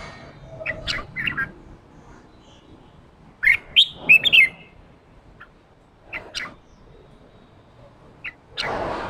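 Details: Red-whiskered bulbul 'ché' song used to train a newly caught bird's voice. Scattered short chirps lead to a tight run of rising whistled notes mid-clip, then sparse chirps and a closing noise burst.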